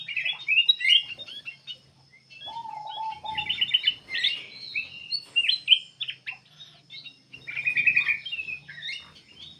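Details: Energetic black-capped bulbul singing used as a lure for other birds: chattering, jumbled notes and fast trills, with a low flat whistle early on and a soft hum in the background.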